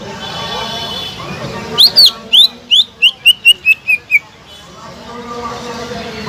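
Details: Greater green leafbird song used to rouse quiet leafbirds: a short burst of about ten whistled notes, falling slurs that become lower and quicker, framed by a soft steady hum before and after.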